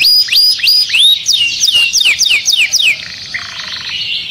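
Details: Agitated canary in a cage sings looping whistled phrases, then quick downslurred notes repeated about three per second, ending in a softer buzzy trill.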